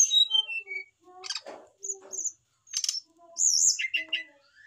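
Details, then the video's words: Mature male brown-chested jungle flycatcher reacting to a female placed beside it, singing fast varied phrases: descending whistled notes, buzzy bursts, high sweeping trills and chattering clusters separated by short pauses. "REAKSI SRDC JANTAN MAPAN DI TEMPEL SRDC BETINA , PANCINGAN SRDC AGAR CEPAT BUNYI"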